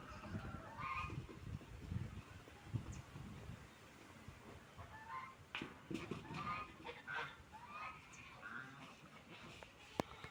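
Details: Ducks at a meal of food and water, with low dabbling noise at first, then a run of short harsh calls in quick succession through the second half.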